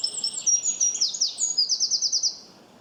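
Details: Chirping bird giving thin high whistled twitters, a couple of dropping slurs, then a rapid string of roughly eight bright, repeated notes before falling quiet.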